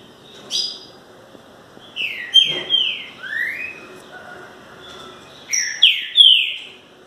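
Green-winged Saltators sing loud, clear whistled phrases of slurred rising and falling notes, in two bursts a few seconds apart, over faint background murmur.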